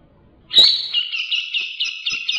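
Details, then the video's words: Grey-cheeked bulbul singing in the ngebren style, a master recording for training songbirds: a sharp high note, then a steady buzzy pulsing trill held for about two seconds, clear and free of other sounds. "Masteran Cucak Jenggot Gacor Ngebren dan Jernih Durasi Panjang"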